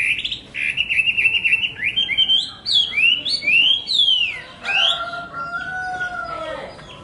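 A Chinese hwamei sings loudly and with great variety: fast rolling trills, looping slurred whistles rising and falling, then long clear notes drawn out and sliding downward.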